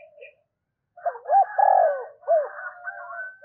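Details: Spotted dove decoy giving its calling song to stir up wild doves. One phrase of paired hoots, a long falling coo and a short closing coo, overlapped by a steady higher whistled tone and a faint murmur.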